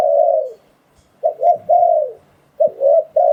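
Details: Spotted dove decoy call used to lure wild doves for trapping: mellow, low cooing phrases, one long falling coo, then a pause and paired coo-croo notes, repeated in short bursts.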